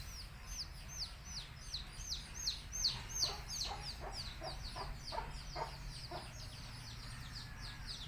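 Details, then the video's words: Baby country chickens chirping as a mother hen calls them to eat; a steady run of high, falling peeps, two to three each second, with fainter peeps overlapping and a low background rumble. "Cute Baby Chicks Chirping Sounds"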